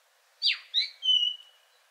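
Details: A male Song Thrush, its rich song recalling a nightingale in some sounds, gives one brief phrase: a dropping slurred note, a short chirp, then a level sustained high whistle.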